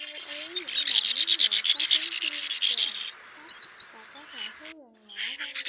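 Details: Swiftlet pair, male and female, calling the flock to roost as a trapping lure; fast pulsed buzzy trills about two per second, then thinner high chirps after a lull.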